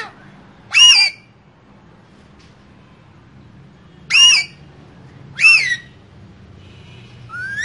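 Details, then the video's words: Green parrots, two together in a cage, giving three loud, ringing squawks spaced several seconds apart, each with a rising-then-falling bend, and a soft rising whistle at the close. "Two Green Cute Parrots Talking In Cage"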